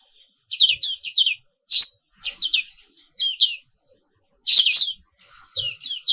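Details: Black-capped white-eye (Zosterops atricapilla), an Indonesian bird, in a morning song: clusters of quick high descending chirps in short bursts, with occasional louder harsh buzzy notes between groups.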